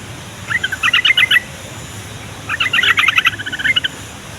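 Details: Yellow-vented bulbul song used to get young, caged and wild bulbuls to answer and approach: two bursts of quick bubbling, jumbled notes, the second longer, over steady hiss and low background rumble.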